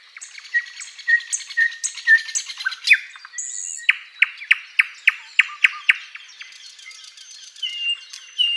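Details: Sikatan londo flycatcher singing for a tutor recording. Varied twittering with short level whistles gives way to an evenly spaced series of sharp downslurred notes, then quieter thin high phrases.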